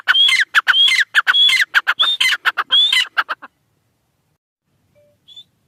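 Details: Francolin from Iran giving a loud call: rapid repeated harsh phrases with a rising whistled element, about twelve bursts over three and a half seconds, then silence apart from a faint short note.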